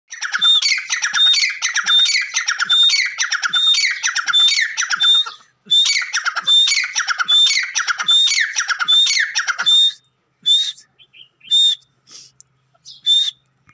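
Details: Grey francolin calling: loud, harsh, ringing phrases repeated in a rapid, steady series about once a second for ten seconds, then a few scattered single notes after a pause.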